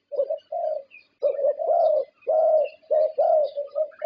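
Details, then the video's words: Champion zebra dove from Thailand, prized for contest-winning voice, singing soft purring coos grouped in short phrases with brief pauses, steady low pitch, faint twittering of other birds in the background. "Perkutut juara Thailand"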